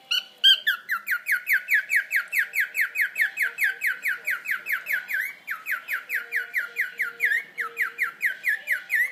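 A cockatiel sings a fast run of bright, slurred whistles, about three each second.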